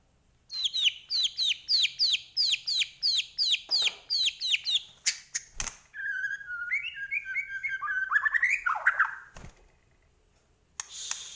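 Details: Medan white-rumped shama singing gacor, full of fill-in phrases: over a dozen rapid identical chipping notes in a fast even series, then a lower fluting warble of wavering whistles rising toward a burst.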